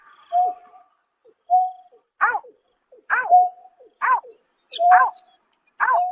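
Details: At night in March 2024, a greater painted-snipe gives flat, level hoots alternating with bent, harmonic-rich nasal notes, about every second, with silence between.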